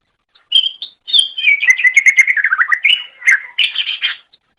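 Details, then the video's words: Greater green leafbird singing loudly for a pet-bird tutoring recording: a continuous stream of rapid, warbled whistles and chirps, descending then rising again, lasting about three seconds after a short opening note. "MASTERAN GACOR - Suara Burung Cucak Ijo"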